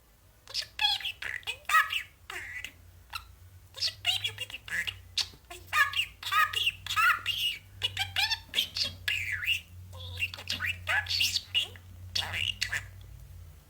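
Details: A pet budgerigar (Melopsittacus undulatus) babbles as it falls asleep: a rapid, chattering stream of squawks, chirps and speech-like mimicry, including phrases like "I love you", "Baby Bird" and "Papi".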